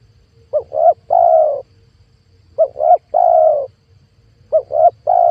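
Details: A spotted dove call played as a lure to bring wild doves to a trap. A phrase of two short coos and one drawn-out coo repeats three times, about every two seconds, with a quiet hum behind.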